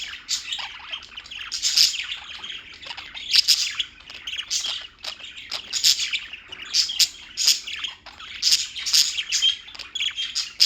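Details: Many birds in New York chirp without stopping, rapid sharp tweets and scratchy squawks layered into a steady chatter that swells in louder pulses about every one to two seconds.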